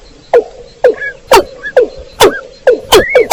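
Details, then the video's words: Watercock lure recording from rice fields: a steady series of hard, down-slurred knocks about twice per second, with short rising whistled squeaks over a low background hum. "suara pikat burung ayam ayaman"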